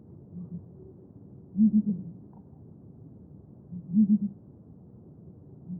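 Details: Southern ground hornbill gives deep, hollow booming hoots in tight groups of three or four notes. Each group comes roughly every two and a half seconds over quiet, soft background hiss.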